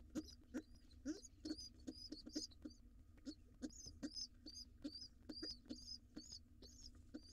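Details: Wild pigeon nestling arriving late at breakfast with its father in a monitored nest box; thin, high squeaky peeps with short upward hooks, repeated roughly once a second over a steady low hum and light tapping.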